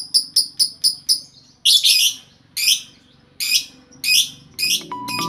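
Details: Several lovebirds kept together in one cage, calling noisily and very actively. A quick run of five sharp, shrill chirps is followed by harsher, buzzy screeching bursts spaced about half a second to a second apart, with a faint steady tone near the end.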